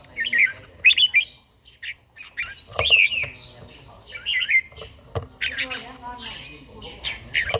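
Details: Red-whiskered bulbul from Gia Lai, Vietnam, an old bird with a forest-style voice, singing in the morning during daily training: short whistled, looping phrases repeated roughly every second, interspersed with sharp clicks and squawks.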